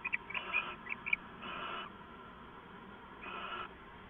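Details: Owl calling late at night on 2 September 2014: a quick cluster of thin chirps and clicks, then two longer harsh hissing screeches separated by about two seconds, over background hum.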